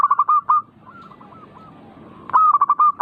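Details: Zebra dove song, played to provoke other birds into singing actively: two loud bursts of rapid, clipped, hollow coo notes at a steady mid pitch. Fainter, similar phrases from other doves fill the pause between the bursts.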